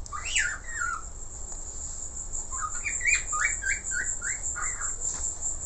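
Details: Budgerigar in a lively, chattering song: a run of short warbled chirps that rise and fall, close together, over a steady high electronic whine and low background hum.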